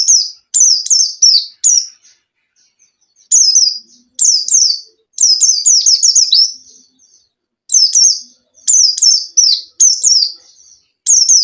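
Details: Pet white-eye singing steadily to lure a silent caged bird: clusters of bright, piercing falling whistles delivered in rapid strings, separated by brief gaps, clean with no other sounds.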